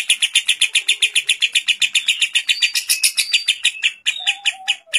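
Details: Lovebird ngekek recorded to train other lovebirds: quick, buzzy, high chattering at about two and a half notes per second, louder midway, then breaking into separate notes with a faint lower whistle.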